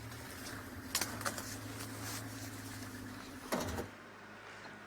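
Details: A steady low electrical hum broken by sharp mechanical clicks and a knock-like thud near the end, with no animal voice.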